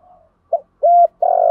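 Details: Decoy spotted dove cooing to lure wild birds, in the 'một hậu' calling style: a faint low hum, a short clipped note, then a steady level coo and a longer coo cut off at the end.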